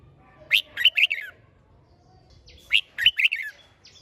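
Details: Red-whiskered bulbul singing to stimulate other birds: two cheerful, rolling phrases of quick, sweet notes about two seconds apart, with a faint thin whistle between them.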